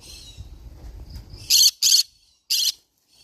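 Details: Green-cheeked conure parrot giving harsh, shrill screeches: a quick pair of noisy bursts followed by a single one, after a soft low rumble in the background.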